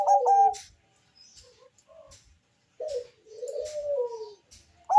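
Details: Zebra dove of the Bangkok line with a deep voice, singing a lure song for other doves. A rapid staccato ending, soft faint notes, then a short note and a long, low falling coo.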